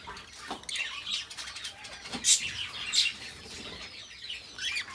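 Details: Two pet budgerigars talk and sing softly: scattered chirps, gravelly chatter and a few sharp squeaky notes, with light flutters and rustling between phrases.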